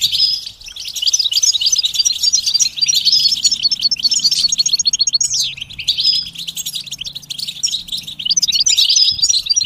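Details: European goldfinch song for encouraging a silent male to sing: long run of quick tinkling notes and buzzy twitters, steady rapid pulses, a short lull before resuming, faint low drone underneath.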